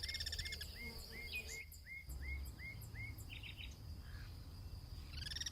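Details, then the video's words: Guira cuckoo (Guira guira) in its natural habitat, among birds perched as sentinels atop a Duranta bush, exchanging calls: a steady series of about nine slurred whistled notes, roughly three per second, over insect whine, other chattering birds and low rumble. "El sonido del Pirincho: Cantos cruzados"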